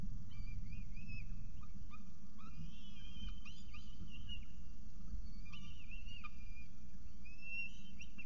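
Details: Peregrine falcon at a nest in Orange, New South Wales, on 24 October 2022, during food delivery and feeding; repeated short whistled, upslurred and wavering calls over a steady low hum.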